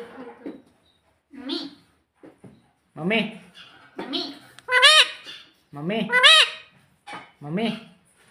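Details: Pet parrot imitating the words mummy and papa; squawky, nasal speech-like syllables repeated in short bursts with brief pauses between them.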